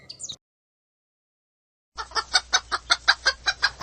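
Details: Hen giving a quick run of about ten short, harsh clucks in the second half, evenly spaced and fast, after a brief opening sound and a silent gap.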